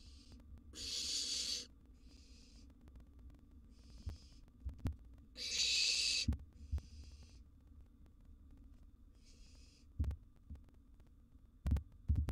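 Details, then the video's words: Wild barn owl nestlings in a nest box at mealtime with a large gerbil: two loud hissing screeches mixed with several softer shorter hisses, plus scattered knocks and scuffling thumps. "Owl Nestling's Mealtime featuring a Sizeable Gerbil"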